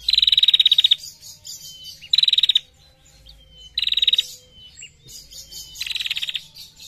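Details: Female bar-winged prinia giving long 'ngetir' ticking: four bursts of rapid, even, high clicks about every two seconds, separated by thin, falling whistled notes and soft background chatter.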